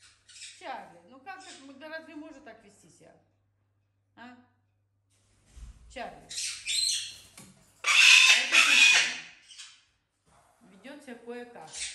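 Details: A pet parrot, outraged at not being allowed outside while other parrots are bathed, gives loud, harsh, rasping squawks in two long bursts, with short chattering notes and a woman talking between them.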